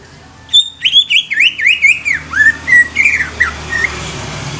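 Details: Young greater green leafbird, used to stimulate other leafbirds, singing a lively phrase of zigzag whistles that rise and fall quickly, then slower slurred notes trailing off.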